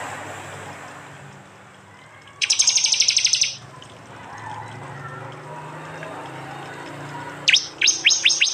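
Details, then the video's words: Prinia song, East Java, recorded on an Android phone in a prenjak and jali mix: one dense one-second rattling trill, a long quieter pause, then a series of separate sharp falling chirps. "masteran Tembakan prenjak jali keras"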